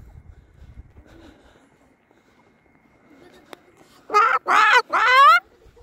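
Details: Moluccan cockatoo kept as a pet, chatting on a walk to the park in late winter; after near silence, three loud harsh drawn-out squawks follow one another, the last rising and falling.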